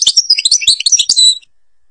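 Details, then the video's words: Brief burst of Algerian European goldfinch song in the ghabat al-Babas tiberli style: quick tinkling twitters and chirps for about a second and a half, then quiet. "(canto jilguero argelia) تغريد غابة الباباس تيبرلي"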